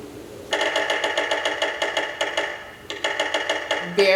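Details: Yellow-bellied Sapsucker giving territorial drumming on resonant metal: a quick burst of taps that slows into an irregular, stuttering knock, given twice, with a voice starting at the end.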